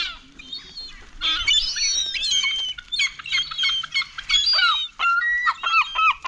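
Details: Gulls piling in to compete for food, a burst of shrill, overlapping squeals and mewing cries, then a series of short, sharp downslurred yelps repeated in quick succession.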